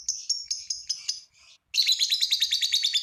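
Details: Lovebird in long ngekek song, meant to get other lovebirds calling: quick bright chips and a short buzzy run, a brief pause, then a fast, even, rattling trill.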